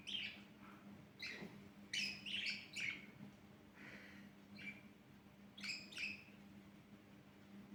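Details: Budgerigars playing at about 1 a.m. chatter in quick, scratchy chirps and squeaky warbles over a low electrical hum.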